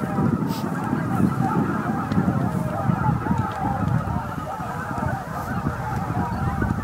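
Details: Greater white-fronted geese, roughly 15,000 birds flying in to their evening roost at Miyajima marsh, Bibai, Japan, 11 April 2016, between 18:00 and 18:30; a dense, unbroken clamour of overlapping honks and cackles from the huge flock.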